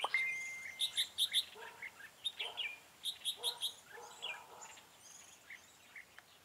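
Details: Decoy red-whiskered bulbul at a trap, recorded 4 February 2017: loud ringing whistled notes delivered in tight runs of three or four, repeated in bursts with brief gaps, plus softer chirps from other birds.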